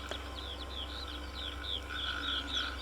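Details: Western Yellow Wagtail, a migrant of wetland edges, giving a thin, high, down-slurred chirp repeated several times a second, its song resembling a string of calls, over a low hum.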